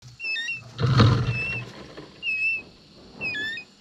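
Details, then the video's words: Young eagle chick, excited as its mother brings back a toad, gives thin, clear whistled calls, some level and some slurred downward, in short bursts, with a loud low thump and rustling near the middle. "The mother bird brought back a toad, and the little eagle was very excited鸟妈妈带回一只蟾蜍，小雕很兴奋"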